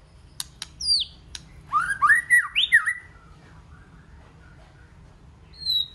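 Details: Varied white-rumped shama song used to spur other shamas on: sharp clicks and a high downslurred whistle, then a quick run of swooping notes, a pause, and one thin high whistle at the end.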